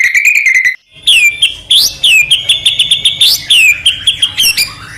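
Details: Captive male white-rumped shama song used to provoke silent males into singing: loud, rich whistled phrases with sweeping upslurs and downslurs, fast rattling trills and sharp chips in a dense, nearly continuous stream after a brief opening trill and pause.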